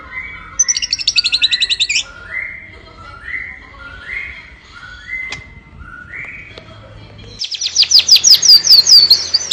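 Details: White-rumped shama singing: a fast rattled trill, then a series of rising whistled notes repeated about every half second, ending in a rapid high, buzzy burst.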